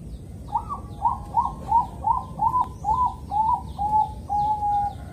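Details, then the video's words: Bangkok zebra dove from Kediri, East Java, singing a calm morning rhythm used to prompt other zebra doves to sing: about nine quick, clear, bouncing coos in a steady run, ending in one long drawn-out note. "suara burung perkutut bangkok irama"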